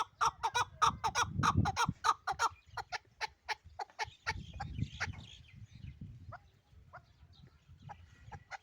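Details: Pamir partridge, a hunting-type chukar partridge from Dushanbe, giving rapid, loud, clucking chuk notes about three per second for the first few seconds, then softer, scattered, uneven notes, with a low rumbling background.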